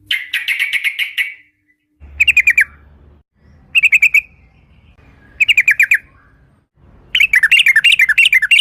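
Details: Sooty-headed bulbul, described as a lively female, recorded as a lure to make other bulbuls sing in the rapid ropel style: bursts of fast chattering notes, each about a second long, separated by pauses, over a low steady hum.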